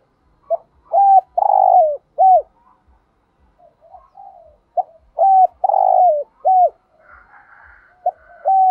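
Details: Spotted dove singing in the 'thổ đồng' voice style with 'thúc gù' cooing. Two phrases about four seconds apart: a short coo, two clear hollow coos, a long buzzy drawn-out coo, then a final falling coo. Faint higher chirps come from another bird.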